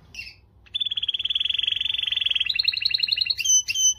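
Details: Canary song to motivate females: a brief chirp, a pause, then a long, fast, even trill of rapid pulses that steps up in pitch into a quicker phrase and ends with bright ringing notes.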